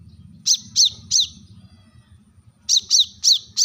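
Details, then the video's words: Brown-throated sunbird, known as kolibri kelapa, manggar or wiceh, giving its sharp rival-calling call: three piercing downslurred chips, a two-second pause, then four more quick ones, over a low steady hum. "kolibri kelapa | manggar | wiceh | suara tajam memanggil lawan"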